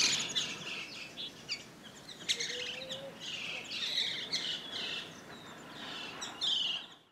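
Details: Chestnut-crowned laughingthrush (T. e. erythrocephalum) at Pangot, India, in November 2023 gives busy, high chattering calls in quick bursts, overlapping other small birds' twitters. A brief low whistle sounds midway.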